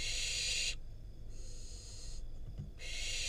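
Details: Wild barn owl fledgling in Israel receiving a rodent from its parents at a nest cam; broad harsh hissing screech bursts of about a second, separated by short quiet gaps, over steady low background hum.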